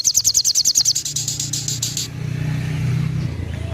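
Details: Little spiderhunter giving a two-second burst of its 'tembakan' call, very quick sharp high ticks in even succession, fading into a low droning hum.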